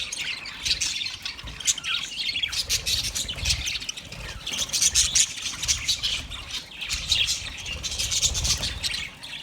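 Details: Budgerigars recorded on 29 February 2024, giving dense, continuous high-pitched chattering and warbling with scratchy squawks, bursts rising and falling in waves, over a soft low rumble.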